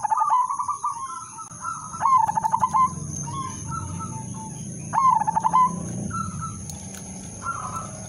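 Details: A lure-singing zebra dove, udanmas silver, repeats rhythmic coos: soft tonal notes alternating with fast rattling trilled phrases, over a low background hum.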